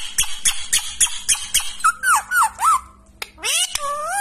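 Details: Pet Indian ringneck parrot indoors, a string of rapid clipped notes, then three wavering squeaky whistles and a rising slurred call after a short pause.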